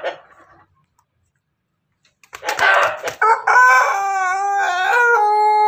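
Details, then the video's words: Ayam Ketawa x Pelung cross chicken in Banguntapan, Yogyakarta, crowing before laying eggs: faint notes and silence, then a rough burst leading into a long, clear, ringing crow held steady to the end. "Ayam hasil persilangan ketawa Bangkok pelung berkokok mau bertelur"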